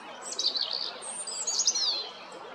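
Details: European robin singing at Jarun in Zagreb, Croatia, recorded on 13 April 2022; thin, high, rapid warbled phrases with sliding whistles and fine trills, continuous through the clip over faint background hiss.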